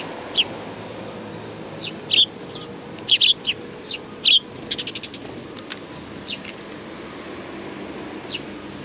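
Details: Sparrows collected at food at a Tenmangu shrine, 2 April 2019, chirping busily: irregular bursts of short, high, sharp notes, some in rapid runs, then thinning out, with steady background noise.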